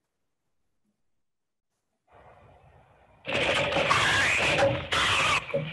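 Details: Silence gives way to a faint hum, then loud broadband clattering noise in indoor surroundings, with no animal sound.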